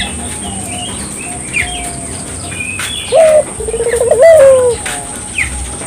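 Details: Barbary dove in full song, meant to encourage local doves to join in: a single low coo, starting with a brief note, then a bubbling trill that rises and drops into a falling tail, among faint bird chirps.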